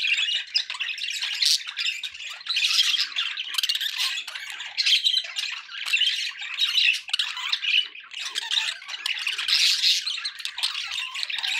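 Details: Continuous budgerigar chatter: rapid buzzy warbles, sharp chips and rasping squawks layered over one another, rising and falling in loud bursts every second or two throughout.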